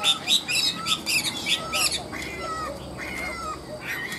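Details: Chinese hwamei, caged, high-pitched ngũ trường style: fast rhythmic volleys of sharp notes about four per second, then drawn-out level whistles spaced roughly half a second apart.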